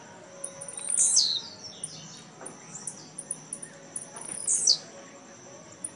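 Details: Blue-black grassquit in a Brazilian singing contest at Jacarepaguá, Rio de Janeiro, 18 November 2017, birds kept caged; two short shrill descending buzzes roughly three and a half seconds apart, with scattered faint ticks and light hiss.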